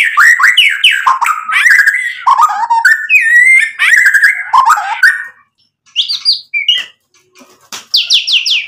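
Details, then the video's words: Caged white-rumped shama, a lively singer used to provoke other birds into answering: rich, loud varied song of fluted whistles, quick rising and falling notes and chattery phrases, a short pause, then high slurred whistles repeated in a run. "MURAI BATU GACOR memancing EMOSI bikin NYAUT ikut BUNYI"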